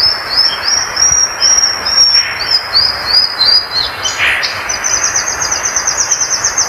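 A Violaceous Euphonia delivers a long, fast run of high, thin chirps and sweeping twitters with barely a pause, over a steady background hiss.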